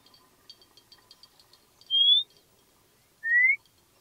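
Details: White monjita (Xolmis irupero) giving two clear, thin whistles, each sliding upward, the second lower in pitch, about a second and a half apart; faint twittering of other small birds behind.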